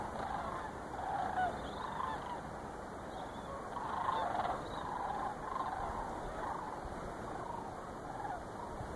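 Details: Sandhill crane flock on migration, Chicago area, November 2014, birds circling overhead. A dense chorus of rattling, trilled calls merges into continuous pulses that swell and fade every second or so, with faint background hiss.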